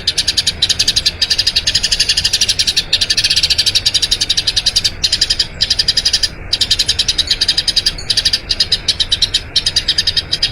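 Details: Eurasian tree sparrow giving a long rolling training song for other birds: a sustained torrent of quick, high chirps lasting about ten seconds, with only occasional split-second breaks.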